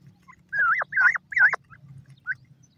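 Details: Grey francolin chicks, locally called white teetar: three loud slurred notes in quick succession, each rising sharply then dropping, followed after a pause by a single fainter short note over a steady low hum.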